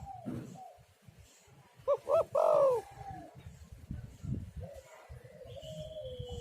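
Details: Spotted dove lure call used to get other doves singing: a loud, low, hoarse two-part coo swelling then falling, amid fainter distant cooing doves and a thin high whistle from another bird.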